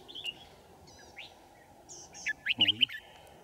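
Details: Trap-side decoy red-whiskered bulbul, 5 January 2018, singing to lure wild birds. Scattered thin chirps lead into a rapid cluster of four or five bright warbled notes near the end, overlapping a man's voice, over steady background hum.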